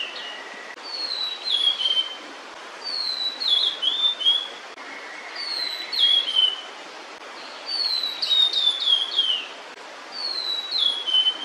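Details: A female blue-and-white flycatcher sings while still carrying food for its chicks, lingering away from the nest. Clear high whistled phrases, each sliding downward and ending in quick flourishes, come about every two to three seconds with quiet gaps between.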